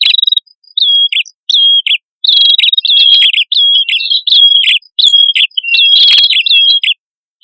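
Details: Male and female prinias singing vigorously as a lure: clear high whistles with downward slides, alternating with short rough chirps in a fast back-and-forth pattern.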